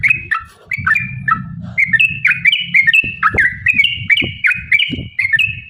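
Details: Lure song of a sooty-headed bulbul, the rapid 'ropel' style said to provoke other bulbuls and described as a female calling a male: chains of rising and falling whistled notes, briefly pausing, over faint low-pitched background hum and occasional knocks.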